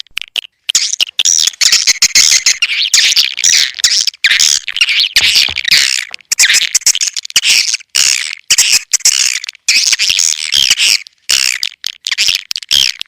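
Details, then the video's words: Swiftlets heard in a natural-source lure call, sp. elang Borneo, played to attract swiftlets: long bursts of high, buzzy twittering and chattering clicks separated by short gaps. "SUARA PANGGIL BURUNG WALET ASLI DARI ALAM"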